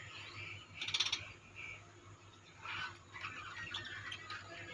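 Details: A colony of budgerigars gives bursts of high, scratchy warbling chatter separated by brief quieter gaps, with a faint constant low hum behind.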